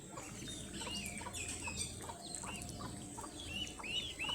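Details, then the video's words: Baby ducklings in a brood, waddling and exploring, give scattered high arched peeps, some rising then dropping, spaced irregularly over a low background hum, growing slightly louder toward the end. "ADORABLE Baby Ducklings Make The Funniest Sounds!I ugly duckling l duckling sounds l baby duck"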